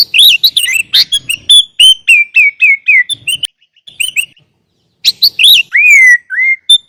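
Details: Master recording of a sooty-headed bulbul singing with many fills, played as a lure: rapid chattering notes, a run of short downslurred whistles, a pause, then loud clear slurred whistles.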